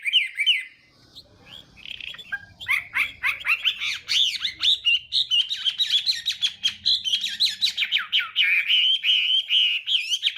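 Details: Chinese hwamei morning contest song, meant to train the voice and stir rivals to sing: a few whistles, a short lull, then a long, rapid, energetic cascade of bright, slurred whistled notes.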